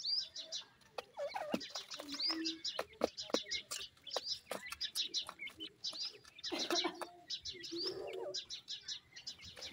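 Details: Young francolin chicks, called Irani teetar, while being fed: many high, thin peeping chirps in uneven clusters, overlaid with sharp pecking clicks and soft background noise.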